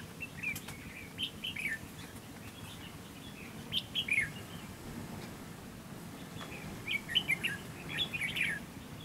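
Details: Red-whiskered bulbul used as a trap decoy provoking rival males: three separate short phrases of bright, jerky warbling notes, each lasting about a second, with quiet gaps between them.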